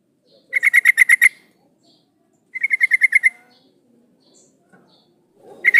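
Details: Female sooty-headed bulbul calling to a male, used as a lure: quick bursts of six to eight sharp, bright chattering notes given in rapid rhythm, with pauses of about a second between bursts; otherwise quiet.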